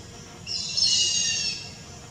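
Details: Grey hornbill giving a single high, squealing call of about one second, a bright strained note with a rough edge that swells and then fades, set against faint low background rumble.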